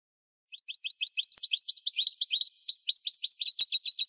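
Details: European goldfinch song played to encourage captive birds to sing: fast twittering run of bright high notes, roughly four per second, tinkling and jumbled with no other sounds.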